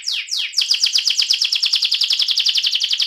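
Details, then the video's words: Two long downward slurs open this AF canary's rolling 'ngerol' song, followed by a rapid, very regular buzzy trill of repeated doubled notes. "kenari AF ngerol"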